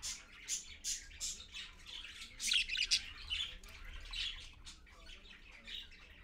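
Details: Parakeet parent and babies at 6:20 AM on 4.1.15 on a live camera: a quick series of scratchy high chirps, then louder overlapping squawks midway, fading to softer scattered notes over low hum.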